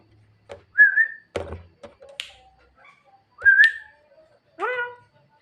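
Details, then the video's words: Javan myna singing at night to call its mate: clear whistles that rise and level off, sharp clicks, and a rough harmonic note that rises and falls. Pauses separate the notes. "burung jalak kebo gacor malam - malam panggil mamake cewe"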